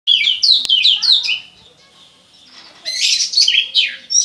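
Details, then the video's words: Oriental magpie-robin of the somersaulting 'salto' style singing in imitation of a bar-winged prinia: rapid, high, downward-slurred chirps repeated in quick bursts, a pause, then a harsh, dense burst of chattering notes. "Burung kacer salto rasa ciblek ancur arutt"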